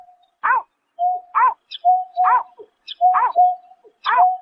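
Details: Night recording from March 2024 of a greater painted-snipe: about six hoarse, arched notes in quick succession, interleaved with short level tones and faint higher squeaks.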